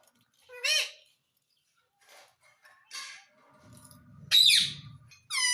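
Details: Talking parrot saying "Mitthu Mitthu": a few harmonic, voice-like squawky syllables with gaps between, a low rumbling noise in the middle, ending in a loud shrill squawk and a rising whistled note.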